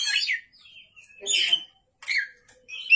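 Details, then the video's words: Oriental magpie-robin at night giving separated bursts of scratchy, whistled phrases between short silences. "pancingan kacer gacor malam hari"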